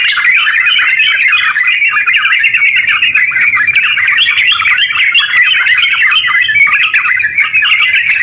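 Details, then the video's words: Sooty-headed bulbul delivering long, unbroken ngeropel song to provoke other bulbuls to sing; a thick stream of fast chirpy, warbled notes with no gaps over eight seconds, background quiet. "TERUCk gacor ropel panjang buat pancingan terucu biar bunyi"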